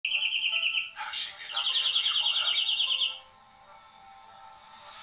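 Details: European greenfinch singing: a fast, even, buzzy trill of rapidly repeated notes for about a second, a brief burst of mixed twittering, then a second longer rattling trill lasting over a second before the song stops, leaving quiet background.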